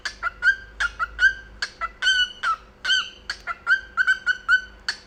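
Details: Pet male cockatiel singing with its owner indoors, giving a lively string of short, bright, harmonic whistled notes that bend and repeat irregularly, some paired into quick doublets, over a faint steady room hum.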